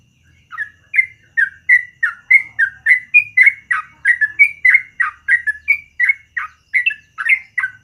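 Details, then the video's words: Long rolling morning song of a yellow-vented bulbul, known locally as trucukan: a fast unbroken string of bubbly whistled notes, three or so per second, varying slightly in pitch. "BURUNG TRUCUKAN GACOR ROPEL PANJANG DI PAGI HARI"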